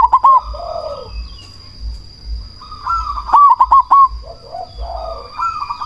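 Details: Loud cemani zebra dove, kept to provoke other doves into replying and to lift breeding drive, utters short clusters of quick, rounded hoots: one at the start and one of four notes midway. Other doves murmur softly behind.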